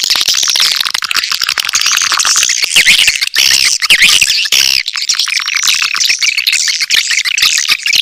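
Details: High swiftlet lure call chorus of busy chirps and squeaks, with a few louder rising and falling whistled notes standing out midway, then dense twittering resumes.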